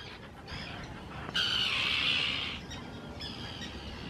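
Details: At Hula Nature Reserve in Israel, spring 2018, a Common tern courting and claiming nesting ground gives a single long, harsh, grating screech lasting about a second, with softer calls from other terns around it.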